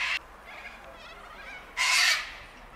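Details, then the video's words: Sulphur-crested cockatoos at Bundanoon station, Australia, in June 2021: a brief harsh screech, a quieter grating trill, then one loud, drawn-out raucous screech. "Sulphur crested cockatoos at Bundanoon station"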